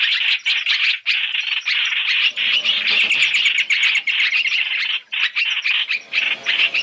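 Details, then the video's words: Lure recording of black-throated laughingthrush, three calls in one, made for trapping birds: bursts of scratchy, rapid churring chatter broken by short pauses, with a few brighter ticking notes on top. "Tiếng chim hoành hoạch (trao trảo) mồi 3 trong 1 chuẩn để bẫy"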